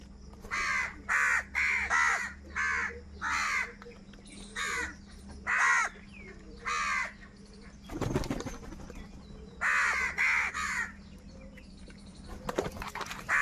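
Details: Crows fighting for food, a long series of rhythmic harsh caws roughly every half second, broken by a burst of wingbeat-like noise before the cawing resumes.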